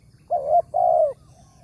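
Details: Wild spotted dove with a strong voice, recorded in the morning at a bird-trapping location. A short coo rising at its end, then a fuller, longer coo that drops away; faint low hum behind.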